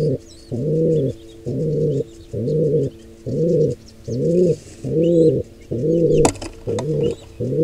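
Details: Wild pigeons, a nestling being attacked by an intruding pair: steady series of nine low, hoarse, arched coos about once every 0.8 seconds, with a brief sharp click midway and faint high twittering.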